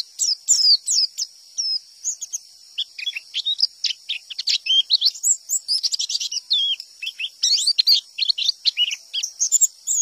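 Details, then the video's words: A wild-type white-eye, whose song is said to draw replies from other white-eyes, sings a rapid, high tumbling stream of thin chirps and twittering trills, nearly continuous, with no other sounds behind it. "TEMBAKAN PLECI NGALAS POWER OK || PLECI LAIN DENGAR PASTI NYAUT BUNYI !!!"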